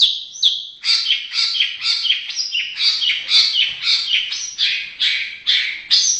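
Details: White-rumped shama from Indonesia pouring out a continuous, dense stream of clear whistled notes and chattering phrases, rising and falling quickly, repeated about twice a second with little pause.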